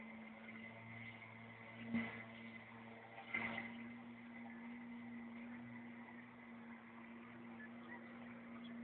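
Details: A steady low electrical hum with a faint tone above it and two soft bumps of handling noise; no animal is heard.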